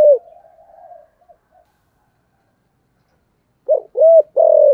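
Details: Spotted dove of the 'thổ' voice type, calling to lure doves; a fading drawn-out coo, a long silent gap, then three strong coos in quick succession at the end.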